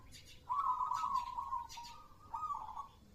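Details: Perkutut (zebra dove) delivering one long, level cooing phrase lasting about two seconds, with a wavering trilled texture. A shorter burst follows after a brief gap.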